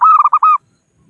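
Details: Local zebra dove (perkutut) calling to rivals, a call used as a trapping lure: a quick run of five mellow, rounded coo notes at a steady mid pitch, delivered in about half a second, then quiet.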